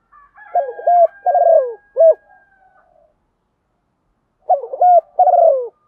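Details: Spotted dove used as a decoy, cooing in the morning to call the flock in the style called chiêu một hậu: a low hooting phrase of four or five mellow coos, a pause of over two seconds, then the phrase again, over a faint steady tone.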